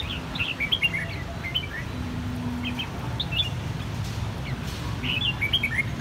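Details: Three captive red-whiskered bulbuls from the same brood, their white cheeks turning red within one season, sing a clear bell-like song. Short bright two- and three-note phrases repeat over a steady low rumble of background noise.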